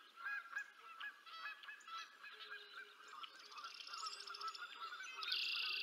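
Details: Bald eagle adult feeding two eaglets at the North Nest in Decorah, 20 April 2024, live nest camera; a series of high chattering, whistled chirps and squeaky notes, with a bright rising whistle near the end.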